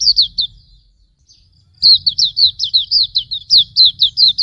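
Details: Auriventer white-eye song for tutoring cage birds: a few high slurred chirps, a short gap, then a quick, steady train of downslurred whistles with a soft low rumble.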